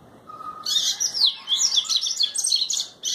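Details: Double-collared seedeater, called papa-capim in Brazil, singing a fast, high twittering song of rapid slurred notes, starting after a short low whistle and running in quick bursts to the end, against a quiet background.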